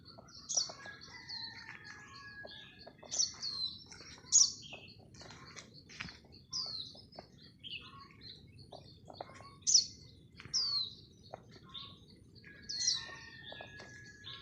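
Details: Red-whiskered Bulbul: a wild bird calls near a caged decoy bulbul, giving bright, bubbly whistled phrases every few seconds, with scattered chirps and soft rustling between them.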